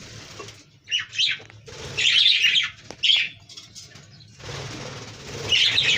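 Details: Budgerigars eating bread-and-egg soft food in breeding season give bursts of high, scratchy chirps and chatter, with soft rustling between calls.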